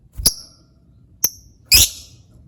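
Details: Lovebird calls used as a lure to prompt other lovebirds to sing: three shrill, very high, clipped chirps, two single sharp notes and then a longer, harsher squawk, on a quiet background.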